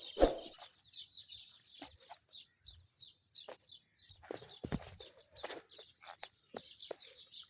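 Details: White-breasted waterhen chicks, caught by hand and later released, giving a rapid series of short, high peeping notes, several per second, mixed with handling thumps and rustling.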